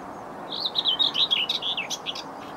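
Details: A common whitethroat sings one brief, scratchy, hurried warble under two seconds, soft hiss behind, at 6:30am on an overcast morning, 27 April 2020, beside a railway line in Bedfordshire.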